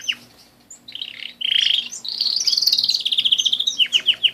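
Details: Canary in full song: buzzy warbled phrases give way to a sustained bright, high trill, ending in a series of quick descending whistled notes, repeated about four times a second.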